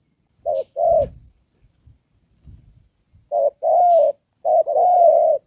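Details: Spotted dove used as a trapping decoy, đồng pha coo with rước and kèm: one hollow short-long pair, faint rustling, then two pairs whose second notes are drawn out longer.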